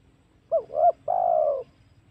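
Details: Spotted dove lure call for attracting wild doves, at home or in the forest: a short coo, a second rising-then-falling coo, then one long steady coo that fades away.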